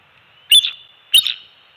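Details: Bald eagles at a Captiva/Sanibel Island, Florida nest on December 27, 2020, with two-week-old eaglets during an early-morning shift change and fish feeding; two sharp, high chirps about half a second apart over a faint steady hum.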